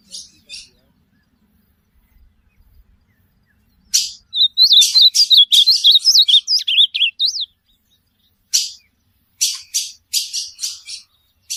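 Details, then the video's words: Song of an ultramarine grosbeak, meant as a model for teaching a pet bird: after a short pause, a rapid sequence of looping whistled notes, then a string of rasping, broadband bursts. "AZULAO,perfeito áudio para sue pássaro."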